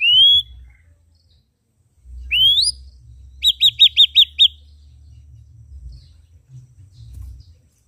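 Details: Ashy drongo with red eyes singing vigorously: two rising, slurred whistles about two seconds apart, followed by a quick run of five short, bright, identical notes. Silence follows, with faint low rumble.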